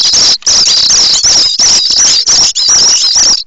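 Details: Common starling nestlings begging at the nest at Théding, 7 May 2024, as they expect a parent with food: loud, continuous, harsh high-pitched rasping in long bursts broken by brief gaps.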